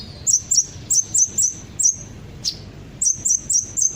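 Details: Sunbird ('kolibri ninja') song played as a lure to get birds singing along: crisp high chirps, often in pairs, with a short gap before a final run of four.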